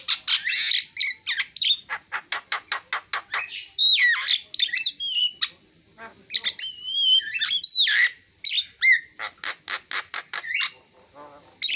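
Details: Javan myna in full song: fast stuttering clicks and chatter, then looping whistles and squeaky rising notes mixed with harsh rasps, delivered in lively bursts.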